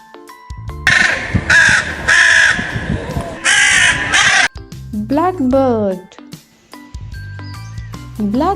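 A crow gives about five harsh, rasping caws in quick succession, over soft background music, followed by a spoken word and a sliding melodic tone.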